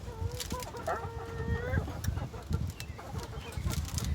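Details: Neighbours' chickens squawking and chattering in the background: a few drawn-out tonal squawks followed by softer clucks, with rustling and a person harvesting rabbit food nearby.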